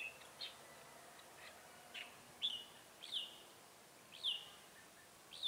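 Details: Red-whiskered bulbul at a bird trap, recorded 7 January 2018, a decoy singing to lure wild birds: short bright chirping notes, some with a downward slur, repeated irregularly about once a second over faint background hiss.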